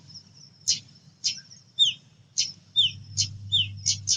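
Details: Female pied bushchat calling as a lure, harsh high chips alternating with short downward-sliding whistled notes, spaced about half a second apart, over a low hum that grows louder near the end.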